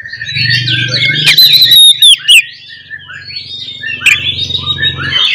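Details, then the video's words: Oriental magpie-robin with a fighting song to agitate other magpie-robins: a long ringing whistle amid scratchy chatter, sharp bursts, and a steady low hum underneath. "SUARA BURUNG kacer gacor NGEPLONG TARUNG ini paling AMPUH buat PANCINGAN KACER agar Full EMOSI"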